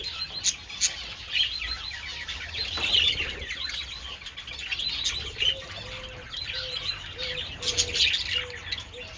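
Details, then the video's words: Budgerigars feeding on treats in sunshine, 27 February, chirp and warble in overlapping bursts with some wing flapping, while a soft cooing repeats steadily in the background during the second half. "Adorable budgies enjoying treats in the sun"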